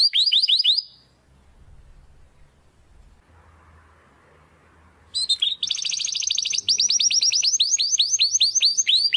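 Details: Belgian canary song for training young and adult canaries: a short burst of sweeping chirps, a quiet gap, then a fast rolling series of rising-falling trilled notes.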